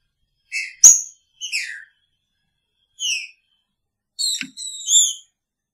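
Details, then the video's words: Picharro-style singing from a caged green-winged saltator housed with its female: short whistled phrases with downward-sliding slurs, a sharp tick near the start, and a closing pair of rich notes. "Trinca Ferro com sua fêmea!! Picharro"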